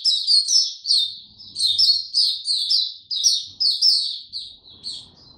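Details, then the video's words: A white-eye in full song on a warm, very humid day, 26 March 2022: fast, high, twittering phrases of sliding chirps, delivered in bursts about every half second with short gaps between them. "Mata Puteh Hercules buka sing warm n very humid weather"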